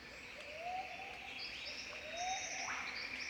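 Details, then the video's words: An Australian Golden Whistler sings in the bush in spring: two soft, rising whistled notes about a second and a half apart, over a steady high hiss and faint thin chirps from other birds. "Golden Whistler Call - The sounds of an Australian Golden Whistler singing"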